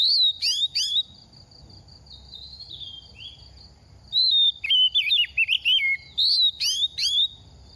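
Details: Moulting oriental magpie-robin, two seasons old, singing fast: brisk sharp whistled notes open, quiet follows, then a lively string of quavering, falling whistles and chirps, with a constant high tone behind.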